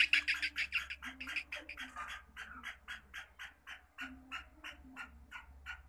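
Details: Rapid, harsh chattering from a kept black partridge, loud grating notes at first, then a slower, fading series of rasping calls over a steady low electrical hum.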